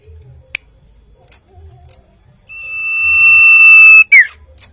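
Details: Common iora (sirtu, sirpu, cipoh) singing a single long, steady, pure whistle held about one and a half seconds, ending in a short downward-slurred note, with quiet background between.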